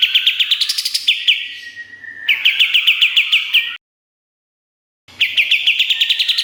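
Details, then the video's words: Lively olive-winged bulbul (kapas tembak) master song for training songbirds: fast runs of sharp, repeated chirping notes, about three or four per second, in two bursts split by a brief silence. "Masteran Kapas Tembak Gacor Nembak Isian Tajam Full"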